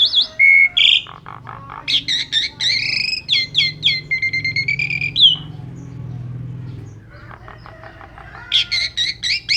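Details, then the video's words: Asian pied starling in energetic 'gacor' song with 'isian' filler, a trigger for other birds: sharp whistles and chattering bursts, a flurry of high notes, then a quieter gap with faint background hum before harsh chatter resumes. "Suara Burung Jalak Suren Gacor Pancingan Full Isian"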